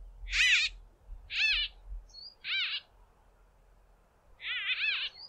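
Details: Small flock of White-fronted Bee-eaters calling while hawking insects from fence poles: loud, nasal, squeaky-toy calls in short stacked bursts, about one per second, with a thin high whistle between them and low wind rumble.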